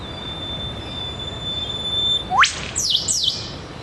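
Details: Eastern Whipbird pair at a scrub edge of a roadside park in the morning: long thin high whistle about two seconds, then sharp upward whipcrack and two quick descending 'chew' notes; one bird gives the first part, its mate nearby.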